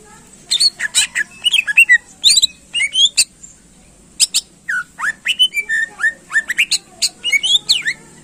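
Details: Greater green leafbird in long rich song meant to rouse competition birds: dense runs of sharp chips, bending whistles and slurred notes in two extended bursts, with constant background hiss.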